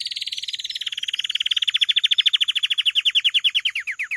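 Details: Canary singing one sustained, fast trill of roughly ten notes a second for over four seconds, the notes drifting slightly lower in pitch and slowing near the end.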